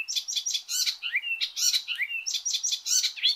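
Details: Rapid, rich song of the Icterine warbler: buzzy repeated chirps broken by rising whistled slurs, delivered without a break.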